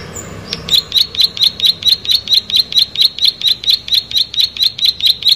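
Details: After a brief sharp note and a short pause, a plain prinia launches into a rapid, regular train of buzzy, high, ticking notes, around four per second, continuing to the end.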